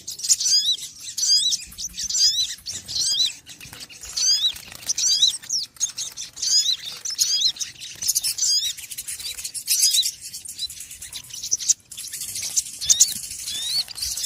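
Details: Small birds in a noisy flock, chirping constantly: high, sharp hooked notes tumble over one another in a dense, busy chatter that barely pauses, with louder bursts every second or so.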